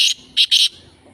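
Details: Black francolin (kala teetar) near Sukkur, Pakistan, gives three loud, harsh, grating notes: one short note, a brief pause, then two quick notes close together.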